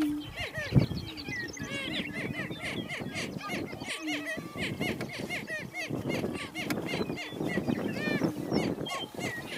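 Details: Greater prairie-chickens on a lek, two banded males squatting and cackling at a territorial boundary with a female nearby. Busy chorus of quick upslurred yelps and chattering cackles over a low drone, with a thump near the start.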